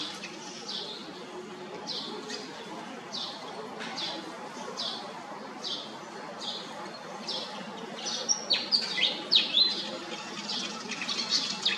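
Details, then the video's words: Pied fantail giving a fast series of short, harsh, scratchy notes, about three a second, with a few thin high whistles near the end over steady background hiss. "นกอีแพรดแถบอกดำ (Pied fantail)"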